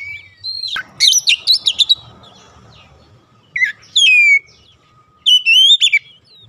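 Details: Oriental magpie-robin song used to make other magpie-robins sing aggressively: a rapid burst of jumbled high chirps after a click, a pause, a falling whistle, then a bright rising phrase.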